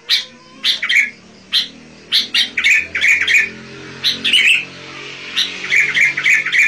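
A Sooty-headed Bulbul sings in bright, chattering bursts of bubbly, slightly harsh notes, several a second in short phrases, over a faint low hum.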